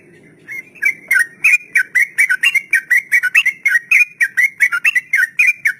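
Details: Sooty-headed bulbul (trucukan) singing the long ropel style, played to train untamed birds: a steady stream of about twenty quick, liquid slurred notes, evenly repeated, over faint low background hum.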